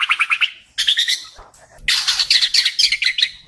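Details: Kalimantan white-rumped shama, a recording for training pet birds: fast pulsed buzzy notes repeated in quick series, then a longer burst of harsh high chattering phrases.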